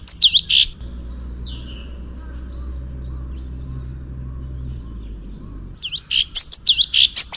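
Cucak cungkok song in loud, high, chirping bursts at the start and again near the end, separated by a stretch of low, steady rumbling noise.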